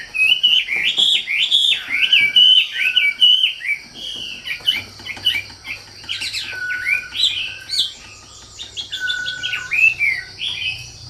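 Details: Wambi song, a lively chattering string of rising and falling whistled notes. Dense bursts are broken by short pauses, and a low steady hum sounds throughout.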